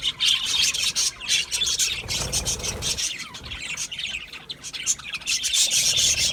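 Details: Budgerigars in lively, overlapping chatter: rapid high chirps and harsh squawks, about three or four notes a second, briefly dipping before the flock noise swells again.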